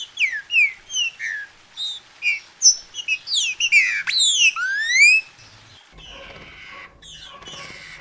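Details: A captive green-winged saltator from a Brazilian breeder, used to warm a bird up for singing: a quick series of clear, downslurred whistles and one long rising sweep, then the song stops and a low rustling hiss fills the end.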